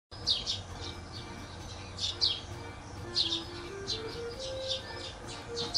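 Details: Small birds chirp in the morning in high, quick paired notes about once a second, with soft music faint underneath.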